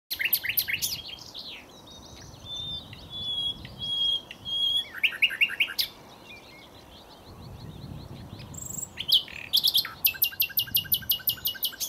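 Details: Common nightingale singing at close range at Cowpen Bewley: loud varied phrases of rapid repeated chirps, sustained whistled notes, and fast rattling trills, separated by short pauses, ending in a long series of evenly repeated sharp notes.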